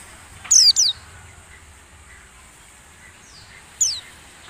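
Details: White-eye lure sound, played to caged birds during morning dew-airing so they learn a wild-style voice: a quick pair of high, thin, downslurred chirps, then a single similar chirp after a pause, over a steady faint hiss.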